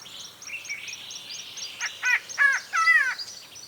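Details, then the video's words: Yellow-bellied Greenbul giving a run of quick high notes, then four loud harsh nasal calls with a stuttering, rattled quality, about three a second. "Yellow-bellied Greenbul"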